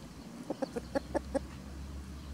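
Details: Chickens free ranging in spring as a white rooster protects his hens; a run of six short, low clucks spaced about a fifth of a second apart, then quiet ground noise.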